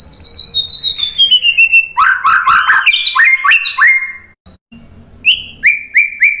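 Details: White-rumped shama song with a long high whistle sliding gently down, a jumble of loud chopped notes, a brief gap, then three short level whistles; used to coax a reply.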